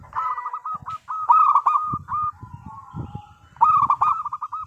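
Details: Zebra dove, a local bird, singing briskly as a lure for other doves. It gives two bursts of rolling, trilled cooing separated by a pause filled with low thumps and murmuring background noise.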